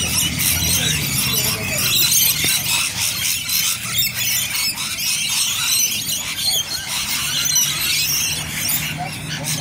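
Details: Rainbow lorikeets in Bonnyrigg in a noisy crowd, producing a steady wall of piercing, overlapping screeches and chatter, with a faint low hum underneath.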